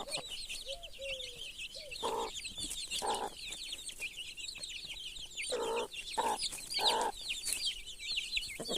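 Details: Hen with chicks: a few soft whining notes, then scattered deep clucks at about one-second intervals. Busy, shrill peeping of the chicks fills the background the whole time.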